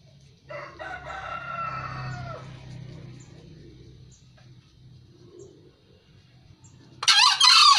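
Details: Green junglefowl from Kebumen, Central Java, crowing: a harsh, harmonic-rich call lasting about two seconds. It is followed by a quiet stretch and ends with a sudden loud, noisy burst.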